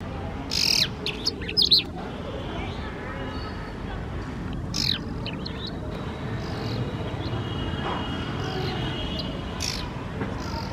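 Brown rock chat giving a few sharp, high chirps in the first two seconds, then one more near the fifth, over a steady low rumble of background noise.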